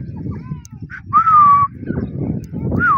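A grey francolin gives a loud, shrill, slightly wavering note of about half a second, with another beginning near the end, over a low rumbling background.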